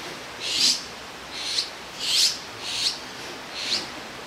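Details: Azure-winged magpie chicks, now fledged and perched in a row in Jirisan National Park, beg for food from a parent; five high, harsh, rasping calls at intervals of under a second, rising and fading each time.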